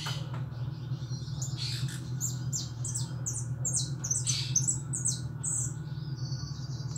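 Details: European goldfinch, a caged household pet, delivering a lively string of high chirps, trills and short buzzy notes that ends in a thin sustained twitter, with low mechanical hum throughout.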